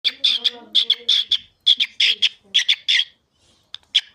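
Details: Pet cockatiel talking in rapid, speech-like chatter. Clipped, squeaky syllables come in quick bursts of two or three, with a short pause before a few final isolated chirps.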